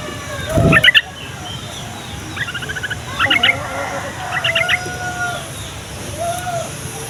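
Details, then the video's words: Yellow-vented bulbul song used to draw replies from other bulbuls. Four short bubbly chattering phrases repeated every second or so, with one low thump near the start and constant hiss. "SUARA TRUCUKAN INI BIKIN TRUCUK PAUD DAN OMBYOKAN LANGSUNG NYAUT"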